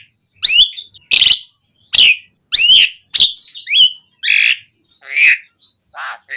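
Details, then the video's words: Asian pied starling song used as a lure for captive birds, full of fill-in phrases: loud harsh rasping notes and downward-curving whistles repeated roughly every half second, about ninety per minute, in a steady series. "Suara Jalak Suren Gacor Auto Nyaut Langsung Efektif buat Pancingan Burung Jalak"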